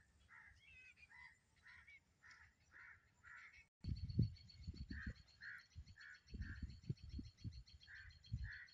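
A rufous treepie gives harsh, grating calls in a steady series, about two each second.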